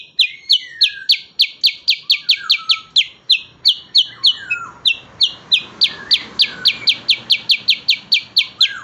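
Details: Cucak kurincang, a bulbul-family songbird, in energetic song: a fast series of sharp, high, downslurred notes repeated about three times per second, broken by a few lower whistled slurs, with faint background murmur.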